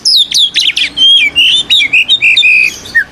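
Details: White-rumped shama fighting song, used to make rival kacer birds emotional and answer back: a dense rush of bright slurred whistles and trills, phrases tumbling quickly with barely a pause.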